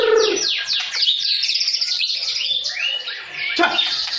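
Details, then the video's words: Provoked by a rival, a white-rumped shama pours out rich continuous song: fast descending sweeps, buzzy trills and warbled phrases, delivered without pause. "MURAI BATU GACOR NGEROL KASAR DAN NEMBAK RAPAT"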